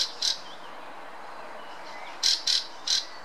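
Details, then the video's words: Fieldfare (Turdus pilaris) in the Munich Botanical Garden giving harsh, rasping chack notes: a pair at the start, then three more after a pause, against a quiet background. "Turdus pilaris song"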